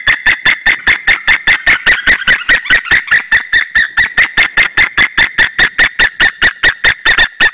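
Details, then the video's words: White-tailed eagles at an Estonian nest, the pair calling to another eagle on an April evening in 2013: a long unbroken run of clipped, high yelps, roughly two and a half per second, harsh and evenly spaced. "Saunja Sulev arrived shouting than came Linda, both shouting to another WTE"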